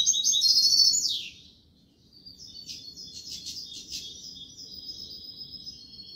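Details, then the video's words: European goldfinch song in the Málaga copla style. A loud, tinkling burst opens, ending in a downward slur, then a brief pause. Softer, rapid twitters and thin trills follow, running steadily to the end. "تغريد الحسون كوبية ملقا canto chardonnert"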